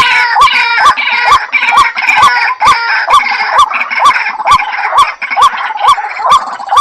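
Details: White-breasted waterhen giving a rapid run of hooked, rising notes, about two per second, with a harsh, busy chorus of overlapping noisy calls layered above.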